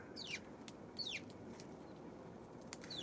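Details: Tree sparrows on 24 October uttering a quick run of high chirps, each sliding steeply downward, about four in three seconds, with faint clicks and steady low background noise.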